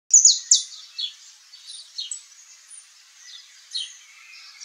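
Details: Saffron finch song: a run of high, sharp chirped notes sliding downward, with brief pauses between short phrases.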